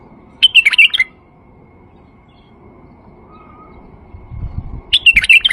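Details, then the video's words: Male White-eared Bulbul singing, a recording used to get silent bulbuls to sing and to attract birds: two short bursts of rich, bubbling, warbled notes, each about half a second long, separated by a long quiet gap. "تغريد بلبل فحل لفتح البلابل القافله"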